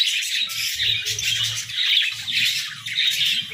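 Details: Budgerigars kept as pets singing in the morning, a loud, crowded twitter of squeaky chirps and buzzy chatter pulsing in short swells, with low rumbling knocks underneath.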